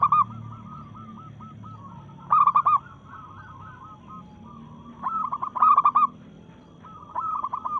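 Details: Zebra dove of a local strain, in breeding mood and challenging rivals: throaty staccato coo phrases about every three seconds, with quieter rolling coos from nearby doves and a faint low hum at the start.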